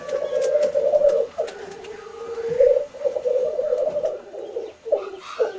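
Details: Home footage of a displaying black grouse: softer, steady low bubbling cooing with short gaps, ending in a few choppy bubbling phrases.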